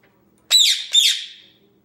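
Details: Male Indian ringneck parakeet, 10 months old, indoors amusing himself with noises and early talking; a pair of shrill, harsh squawks roughly 0.4 seconds apart, each bright and raspy, the latter tailing away, in a quiet room.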